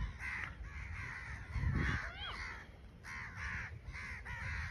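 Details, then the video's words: Flying crows giving harsh, rasping caws in bursts of several notes about a second apart, over low rumbling wind noise. "original crow sound"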